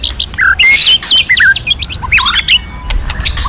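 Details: White-rumped shama training song in a forest-voice style, a dense burst of loud whistled slurs and sharp chips, rising and falling quickly, with harsh buzzy notes among them.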